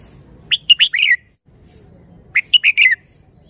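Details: Red-whiskered bulbul singing a phrase praised for fine style and delivery: two bright, quick phrases of four or five warbled whistled notes, each under a second, about two seconds apart, over a quiet low background hum.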